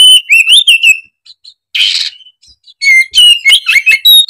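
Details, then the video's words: Oriental magpie-robin, or kacer, in excited repertoire song: a rising whistled phrase with chatter, a harsh rasping burst, then loud varied whistles and sliding notes. "Kicauan kacer gacor emosi bongkar isian"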